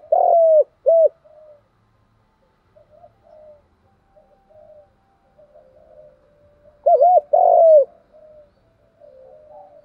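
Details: Spotted dove cooing, meant for training decoy birds. Two loud rounded coos open the recording, followed by long stretches of soft faint murmuring. A second loud pair of coos, one long and drawn out, comes later.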